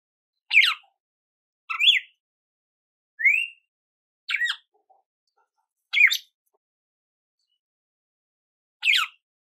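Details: Red-cowled cardinal singing, short clear whistled phrases, some rising and some falling, about one every one to two seconds with silent gaps, no other sounds.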